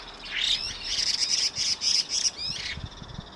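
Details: Evening calling by two Chinese hwamei, which alternate grating and piping sounds; a quick run of bright, evenly repeated high notes forms a rapid trill, framed by slurred whistles at start and end.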